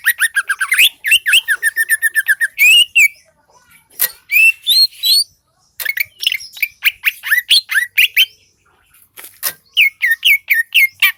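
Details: Greater green leafbird, Seulawah valley, Aceh, singing gacor: opens with a fast, dense trill of repeated notes, then breaks into varied whistles, chips and rasping notes in uneven bursts separated by short silences.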